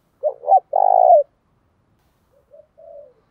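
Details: Spotted dove luring call, Thổ Pha Đồng style: two short hooted notes and a long vibrating coo, followed by a couple of much softer distant coos.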